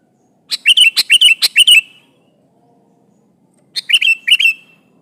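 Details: Sooty-headed bulbul in full voice, calling a rival to answer; a rapid string of eight or so bubbly warbled notes, a pause, then a shorter run of similar rollicking notes.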